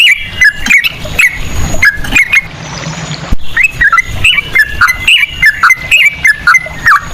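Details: Lure song of Sooty-headed bulbul, ropel style with cucak rowo phrasing: spaced ringing whistles, a second of soft noise, then a string of faster dipping and rising notes.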